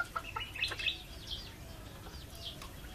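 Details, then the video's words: Backyard chicken chick with its mother: a few short, high chirping peeps in the first second, then faint sliding whistled notes at wide intervals over a low, steady background hum. "Backyard Chickens 2, a chick and its mother"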